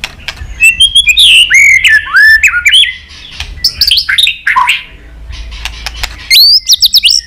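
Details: Many-voiced chattering song of a white-rumped shama, used to stir another bird into fighting song: rapid bursts of bright, looping whistles and sharp clicks, phrases coming in quick clusters with brief pauses.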